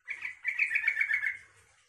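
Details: Yellow-vented bulbul song used to stir other bulbuls to answer: one chattering, bubbling phrase of quick notes lasting about a second and a half.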